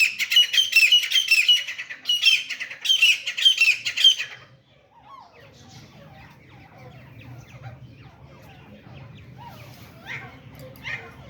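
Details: Grey partridge or grey francolin in a fight: two bursts of rapid, shrill, rasping notes over four seconds, then only faint chirps over a low background hum.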